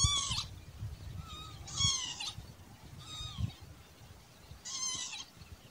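Spur-winged lapwing giving four bursts of shrill, nasal, slightly bent calls about every second and a half, over low rumbling wind noise.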